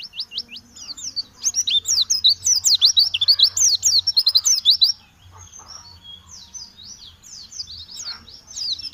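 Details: Oriental white-eye singing a rapid, high twittering song of quick rising and falling chirps, dense and loud for about five seconds, then softer and more scattered, with a faint low hum beneath.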